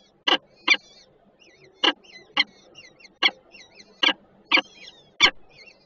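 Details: Peregrine falcons at a nest in Żerań, Warsaw, Poland, 28 June 2022, filmed by nest camera as one guards and the other has food; rough, repeated calls with faint twittering of other birds behind.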